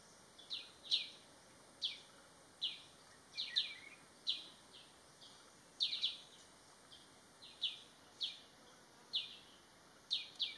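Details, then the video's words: Crested goshawk calling: sharp, high, downslurred notes, often doubled, repeated about once a second over a steady high-pitched background hum. "เหยี่ยวนกเขาหงอน (Crested Goshawk)"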